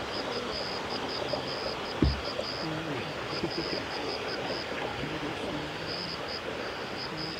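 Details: A Sakhalin leaf warbler at Gongenyama Bird Sanctuary on 8 September 2018 gives thin, very high notes in quick, even runs with short breaks, over a steady rushing background and one sharp knock.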